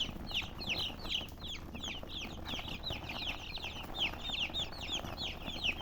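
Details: Chickens chirp continuously in high, downward-sweeping notes, bright and thin, from a group calling at once in quick irregular succession.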